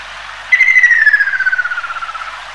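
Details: Ruddy Kingfisher (Halcyon coromanda) giving a single loud, pulsed, descending trill that starts high and slides steadily lower over about two seconds, softening as it falls, over quiet background hiss.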